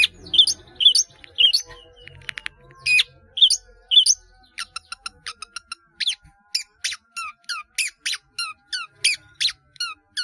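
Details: Long-tailed shrike kept caged, singing with many mimicked phrases: first clear whistled notes spaced about half a second apart, then a rapid series of sharp downward-sweeping whistles and ticks.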